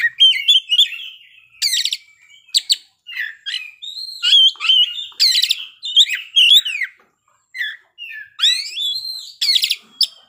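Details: Oriental magpie-robin singing its learned fill phrases: loud bright whistles near the top of its range, crackling buzzy bursts and slurred warbles, phrases several seconds apart with brief silences, clean background.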